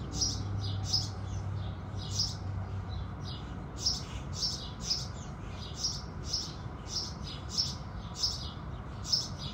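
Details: House sparrows singing at sunrise: a steady run of short, bright chirps, roughly two per second, each a brief sharp cheep, over a low constant rumble in the background.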